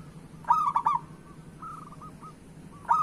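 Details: A local zebra dove, whose voice is used to lure other doves into singing, gives a loud burst of quick staccato coos, then a softer distant dove answers before the next phrase begins; low hum underneath.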